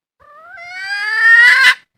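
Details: Red junglefowl hen from the wild uttering a single clear, rising wail that grows louder and harsher before cutting off sharply. The setting is silent.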